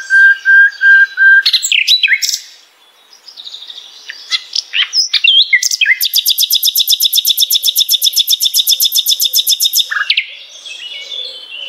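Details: Common nightingale (Luscinia megarhynchos) begins with repeated loud low whistles, gives a few varied notes, then a long, very fast, even rattle lasting about four seconds, ending in a downslurred note.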